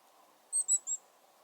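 A Black-capped Chickadee gives three thin, very high 'see' notes in quick succession, a hawk alarm, over a low steady hum.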